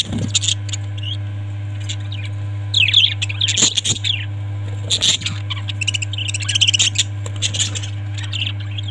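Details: Parrots giving intermittent bursts of chirping and squawky twitter, louder clusters around three, five and seven seconds, accompanied by a steady low mechanical hum.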